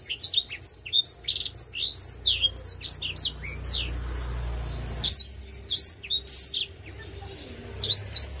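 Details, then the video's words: Black-throated canary singing actively in the ngalun song style: a fast, continuous run of high chirps, sharp rising and falling whistled notes and twittering trills, with a brief pause midway and low background hum. "BLACKTHROAT GACOR!!! Sing Song"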